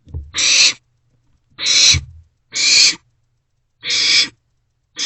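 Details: Barn owl nestlings passing a vole back and forth in an owl box around 2 am, 27 March 2024; four raspy hissed screeches with another beginning, and low thumping movement sounds.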